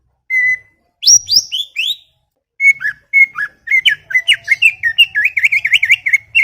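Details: Garden greater green leafbird chattering: a lone flat whistle, a few high swooping notes, then a fast, continuous warbling run of wavering whistles that grows busier toward the end.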